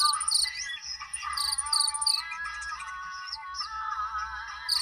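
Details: Indonesian purple-throated sunbird kept in a cage, its repertoire said to miss only the cililin imitation, delivering fast high chattering trills and squeaky notes repeated in quick bursts over a constant background hum.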